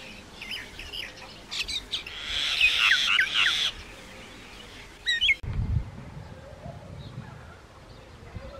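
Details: Common myna giving a burst of harsh, squawky chatter mixed with short whistled chirps for about two seconds, then falling quiet, with a low thump and faint background noise afterward.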